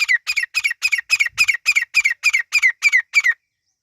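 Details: Partridge chicks, called Irani teetar, giving a fast run of about twelve harsh, slightly descending chirps at an even pace, several per second, then silence.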